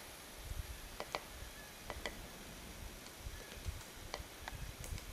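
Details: A Black-backed Woodpecker in Algonquin Provincial Park, Ontario, gives sharp, dry taps or knocks at an uneven pace, about a dozen in five seconds, over a low background rumble.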